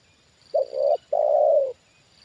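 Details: Trained spotted dove calling in response to a wild bird brought down a second time. It gives a single mellow phrase: a short note, a brief gap, then a long, steady, gently falling coo, with a faint high whine behind it.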